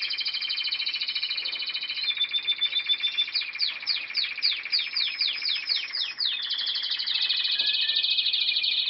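A canary sings a long, unbroken, high-pitched song of rolling trills, then a fast series of down-slurred notes, about three per second, before settling back into steady trills.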